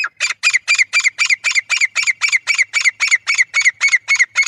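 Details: Loud, rhythmic calling from a male grey francolin used for hunting: a steady stream of harsh, metallic notes repeated nearly four times a second without pause.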